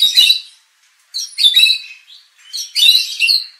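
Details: Three loud bursts of harsh, tangled high notes with whistled endings from a white-rumped shama, used as a lure to make competition birds aggressive and sing out their repertoire.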